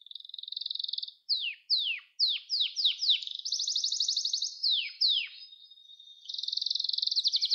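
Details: Canary song used to train young canaries: a high trill, then loud, separate downward-sweeping whistles, a dense rapid trill, two more falling whistles and a final fast trill.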